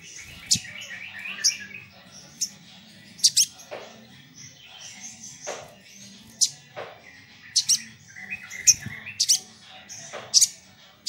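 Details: Sunbird in full, busy song, used to call and anger rivals: scattered sharp high clicks and piercing notes at irregular intervals, some doubled, over a steady background of thin twittering and a low hum.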